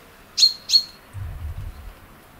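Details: Eurasian blue tit in early April in a spring forest and garden, readying a tree-hole nest and loudly claiming territory from a branch: two thin, high, sharp notes about a third of a second apart, each trailing into a faint steady whistle, then a soft low rumble.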